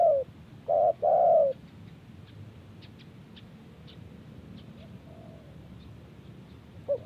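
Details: Spotted dove calling in answer to wild birds: a short low coo followed by a longer, wavering two-part coo, then a quiet pause and one more brief coo at the end, with faint high ticks of other birds in the background.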